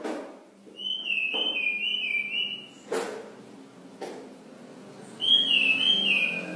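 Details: Brown cililin singing persistently without being prompted by other sounds: drawn-out, wavering whistled phrases at mid-high pitch, the first long and quavering, the second starting at about five seconds, separated by sharp clicks and knocks.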